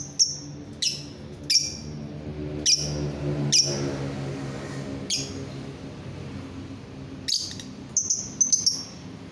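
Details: Lovebird uttering single sharp, high chips spread irregularly through the clip, with a faint low hum beneath. The sound is used to set off other lovebirds singing.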